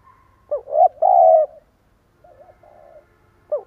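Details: Spotted dove used as a decoy, cooing in a broken stammering rhythm to provoke wild doves. A rising hiccup leads into a long warbling coo, followed by soft wavering murmurs and a new phrase beginning.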